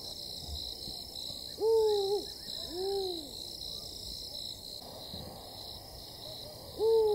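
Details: Spotted eagle-owls, a pair calling back and forth beside a camp in Tembe Elephant Park, KwaZulu-Natal, South Africa, July 2019: a strong hoot, a lower arched reply a second later, a few seconds of quiet, then another hoot, under a steady high drone.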